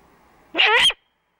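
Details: Rough, scratchy screech of about half a second from a great horned owl nest under a live camera at dawn, 3 March 2018, the female giving the food call while the male hunts.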